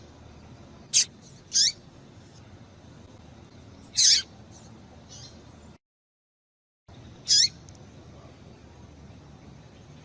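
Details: Female seedeater calling to stir males into song, kept by breeders for singing contests: sharp, high downslurred chirps given singly every second or few seconds, with a brief dead silence midway and faint hiss behind.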